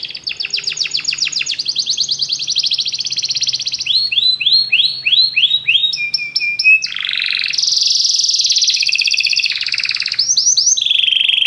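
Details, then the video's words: Many canaries singing together after hearing music: long varied song of rapid rattling trills, series of repeated high sweeping notes, short ringing whistles and a loud buzzy tour, changing pattern every second or two. "muitos canários cantam junto depois de ouvir essa música"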